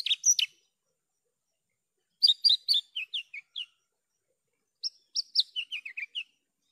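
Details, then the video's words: Javan bush lark in clean training song: a short chirp, a pause, then two bursts of varied bright notes, each phrase stepping downward from high sharp chirps to lower slurred whistles. "PANCINGAN/MASTERAN JERNIH BRANJANGAN GACOR...."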